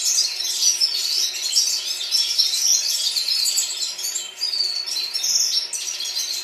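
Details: Red-fronted serins singing in chorus in Baku, Azerbaijan: a dense, continuous high twittering of many birds, with tinkling trills and chirps overlapping throughout and no pauses.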